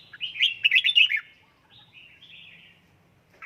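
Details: Red-whiskered bulbul kept and trained at home to sing in fired-up form. A quick burst of bright, chirpy warbled notes lasts about a second, then softer scattered whistled phrases follow over a faint low hum.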